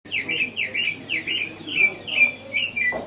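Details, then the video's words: African thrush of the subspecies graueri in Kibuye, Rwanda, in March, giving a run of clear whistled slurred phrases, each a short rising-then-falling note, repeated rapidly about twice a second, with a low hum underneath. "Merle africain (Turdus pelios graueri) African Thrush"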